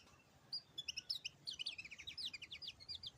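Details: After a near-silent start, a white-eye breaks into quick, high, tinkling twitters, with short zigzagging notes strung tightly together until the end.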